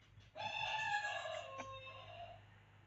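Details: Hen-keeper's chicken crowing: a long harmonic-rich cry starting sharply, holding steady about two seconds then fading, with a low hum in the background.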